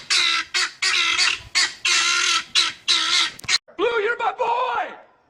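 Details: Guineafowl near a police dog produce four or five long, harsh, rasping bursts about a second apart, followed by a different wavering, up-and-down sound that tails off.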